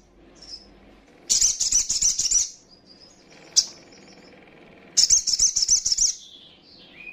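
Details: Sogon, or little spiderhunter, female calling to rile up rival birds: two long bursts of fast, high, dense chattering notes, with a faint thin note and a single sharp chip between them.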